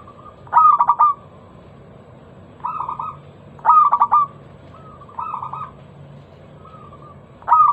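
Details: Zebra dove (local perkutut) lure song with a loud, crystal-clear voice: repeated cooing phrases every second or so, alternating strong stuttered bursts with softer purring rolls.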